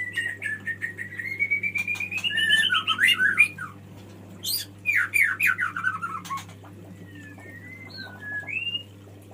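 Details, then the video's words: Male white-rumped shama singing for a female: a long rising whistled trill, then cascades of falling notes, ending in soft scattered whistles, over a low background hum. "SUARA KICAU BURUNG MURAI BATU JANTAN MEMANGGIL BETINA"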